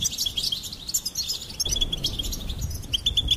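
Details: Quick high twitters and bright peeps from a goldfinch, sung almost without pause, with a low rumbling noise underneath in the second half.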